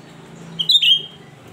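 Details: Untrained cucak rante singing constantly, its shrill voice used to lure other birds: one loud piercing phrase of quick sharp notes running into a sustained high whistle, over faint low background hum.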